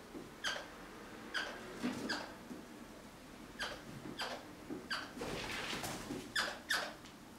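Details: A crimson rosella, guarding a sock, gives harsh, rasping screeches in short bursts, about one or two a second, with quieter chatter between them in a small room.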